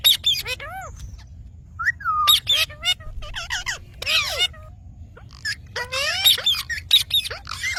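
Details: Green parrot mixing harsh, grating squawks with clear whistled notes that arch up and fall, some rising slides, delivered in irregular bursts with short pauses between.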